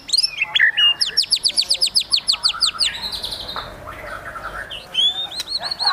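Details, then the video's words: Excited white-rumped shama song in high emotion, a fast series of about seventeen repeated sharp whistled upsweeps, then quieter varied phrases and a few clear whistles near the end. "MURAI BATU GACOR EMOSI TINGGI NEMBAK ISIAN GAYA MEWAH"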